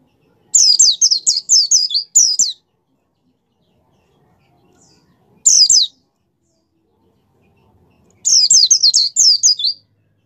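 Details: White-eye 'gacor' song for rousing kept birds: a fast high twittering phrase, a short burst some three seconds later, then another rapid run of downslurred whistles, with silent gaps between.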